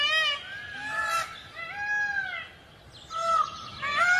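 Peafowl give loud, nasal, honking calls in quick bursts, several overlapping, with a brief lull before more calls rise again.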